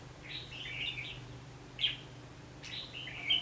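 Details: Red-whiskered bulbul song heard while trapping in Vietnam on 19 November 2015: three bright warbled phrases, each under a second, separated by gaps, over faint low hum.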